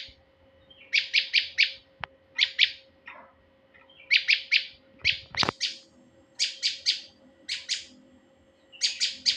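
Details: Lure recording of a male prinia: quick series of bright, high-pitched chirps clustered in groups of two to five, recurring every second or two, with a couple of sharp clicks and a steady faint background hum.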